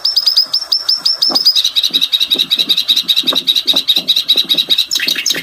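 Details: Bluethroat singing: a quick run of clear high notes repeated about twice per second, then a rapid, even, rattling series of sharp notes at a steady pitch, ending in varied descending notes. Soft low knocks sound underneath.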